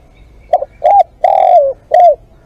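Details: A single spotted dove phrase from a live decoy session: two short notes, a long coo sliding gently downward, then one rising-and-falling closing note, loud and clear.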